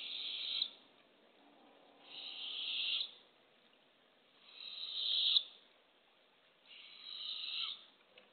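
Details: Early morning, April 27, 2024, at a backyard nest box: female barred owl gives harsh, hissing screeches, about a second each, roughly every two seconds, while a hungry owlet blocks the entrance as she brings a baby opossum.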